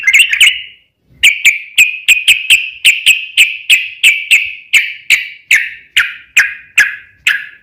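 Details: Lure song of a sooty-headed bulbul (trucukan), gacor style with long ropel: a steady string of short clipped chirps, each starting with a sharp click, repeated roughly three times a second for several seconds.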